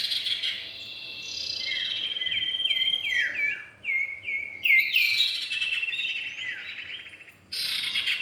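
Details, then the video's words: Common iora, male and female, in a lure recording: evenly spaced down-slurred whistles repeated about three times a second, building into a brighter run before a short pause, over a faint high drone. "pikat burung cipow jantan dan betina"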